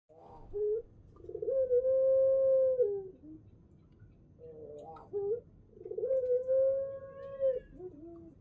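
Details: Male ringneck dove, a parent bird used as a lure, giving drawn-out pelung-style coos: two long, steady, mid-pitched notes of about a second and a half each, with short rising lead-in notes and brief lower notes between.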